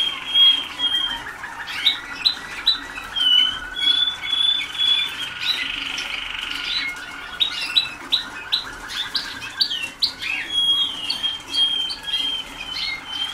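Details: Young Waterslager canaries in song training, only days into the work; bursts of sharp whistled notes and chirps alternate with short squawks, with several birds calling over one another.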